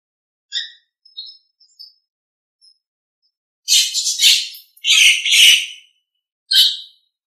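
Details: Nias hill myna in a master recording made for training other birds: a few short high chirps and whistles, then loud harsh raspy bursts around four to five seconds, a longer grating phrase, and one final rasp, no other sounds.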